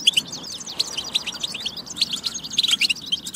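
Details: Continuous bright twittering of a European goldfinch, played to encourage singing: quick tinkling notes, buzzy trills and sharp chirps tumbling together without a break.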